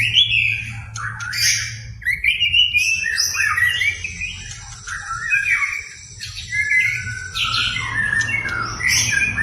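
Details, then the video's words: White-rumped shama in full, varied song used as a lure to provoke a reluctant shama into singing: loud whistled and warbled phrases, some rising and some falling, with sharp chips between, delivered almost without pause. "PANCINGAN MURAI BATU GACOR BONGKAR MATERI // AMPUH UNTUK MENAIKAN EMOSI MURAI SUSAH BUNYI"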